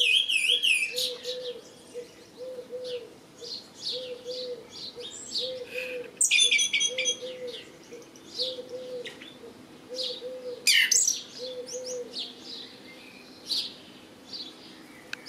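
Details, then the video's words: Red-legged Thrush (Turdus plumbeus) sings short, varied high phrases of whistles and chirps, while a dove coos low and steadily throughout. "Roodpootlijster. Turdus plumbeus singing"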